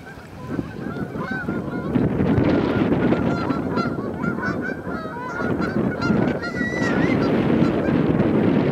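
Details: Thousands of Canada geese along the Salmon River near Truro, 22 March 2014: loud, dense honking from a large flock, many overlapping nasal calls rising and falling in quick succession, with clearer individual honks standing out over a low rumbling background.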